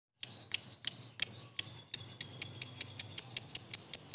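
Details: Lovebird giving ngetik and ngekek style sounds, used as a strong lure to provoke fighter lovebirds into responding; sharp, high, clicking ticks start spaced and then speed into an even, rapid series of about three per second.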